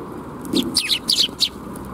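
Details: Sparrows gathering for food at a bridge in Japan in June 2021 give a quick burst of loud, harsh chirps, five or six in about a second, over low-pitched background noise.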